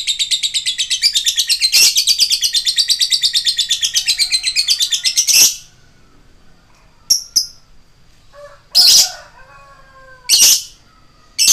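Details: Lovebird rapid 'ngetik' ticking used to provoke other lovebirds: about five seconds of fast, shrill, machine-like chatter, then silence broken by a few separate harsh shrieks.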